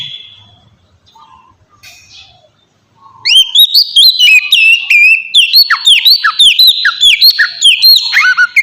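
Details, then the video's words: Provoking song of an oriental magpie-robin, played to get other birds to respond: a faint start, then a loud burst of fast, varied whistles and dropping chirps repeated rapidly. "suara pancingan burung kacer ampuh!! buat pancingan kacer bahan dijamin langsung nyaut"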